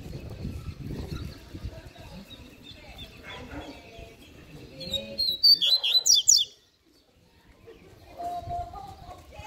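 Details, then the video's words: Double-collared seedeater song: a quick run of high, piercing twittered notes for about a second and a half, abruptly ending in silence; low murmured speech and rumbling noise before and after. "Coleiro Canto Fibra!!! Cantão Show!!!"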